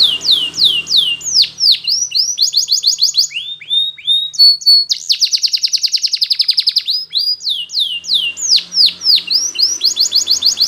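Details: Yellow Spanish Timbrado canary singing a training song: a long, continuous high warble of swooping slurred notes, fast metallic trills and rolling repeated phrases, loud and unbroken throughout.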